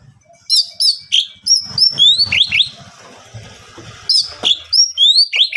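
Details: Oriental magpie-robin singing to provoke rivals into song: repeated bright upslurred whistled notes in quick succession, a middle stretch of hiss and low rumble, then more rising whistles.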